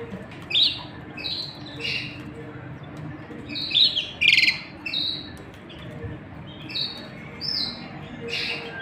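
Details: Canary pair, male and female, showing affection while chicks are fed in the nest; irregular bursts of sharp high chirps and quick upward notes roughly every second, with a faint low hum beneath.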